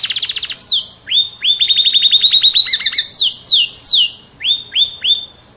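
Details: Vigorous singing from an F1 canary opens with a rapid rattling trill, then runs of quick rising-and-falling whistles, sliding downward phrases and a few sharp upswept notes.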